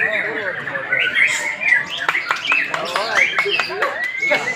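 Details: Song of a White-rumped shama aged one year four months: clear whistled notes at steady pitch broken by sharp clicks and quick downward sweeps, closing on a bright sustained whistle.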